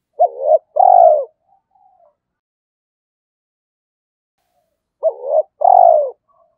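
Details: Spotted dove cooing used as a lure to set other doves calling: two short low hoots then a longer, falling coo, the phrase repeated after a pause of about four seconds.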